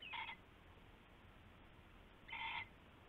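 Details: Pre-dawn owl, February 19, 2016, around a rabbit handed over as prey; a pair of harsh, buzzy calls spaced a little over two seconds apart, with low hum throughout.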